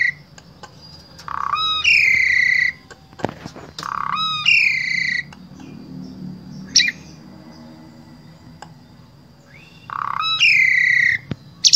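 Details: Asian pied starling from Wonosobo, Central Java, Indonesia, used as a vocal tutor for other starlings; three loud phrases, each a harsh rasp opening into long stacked whistled tones, with sharp clicks between.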